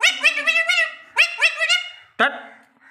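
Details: Taught-to-speak Alexandrine parakeet utters two quick strings of choppy, high, nasal syllables. A single sharp squawk closes the sequence.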